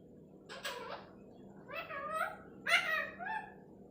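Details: Talking parrot giving three harmonic, speech-like vocal bursts, each about half a second long, with bending pitch contours, over a quiet steady background hum.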